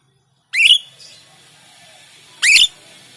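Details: Rio Rio myna, a cage bird used as a song model for other songbirds, uttering two loud, ringing upslurred whistles about two seconds apart, each with a bent, hooked tail.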